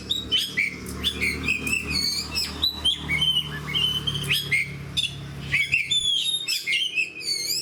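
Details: Fighter oriental magpie-robin in bold, nonstop song, its rich whistled notes, upslurs, rapid chattering trills and scratchy high squeaks changing constantly, each phrase delivered loudly over a faint background hum.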